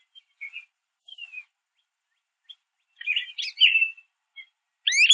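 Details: American goldfinches, a small group feeding on sunflower seeds at a backyard mesh feeder, chirp: scattered high, thin notes, then a quick jumble of sweet twittering and slurred whistles near the end, with no other sounds.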